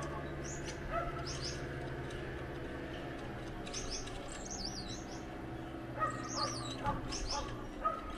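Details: A pair of Gouldian finches singing: faint, very high, thin wavy squeaks and wheezy warbled notes in short bursts, louder near the end, over a steady low hum.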